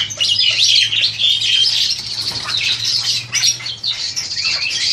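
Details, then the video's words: Captive-bred Crested Myna, about 7-8 months old and ready for a breeding cage, recorded on an old Samsung phone: dense, loud high chattering of squeaks and whistled chirps, continuous, with a low steady hum beneath. "JALAK HONGKONG TERNAK"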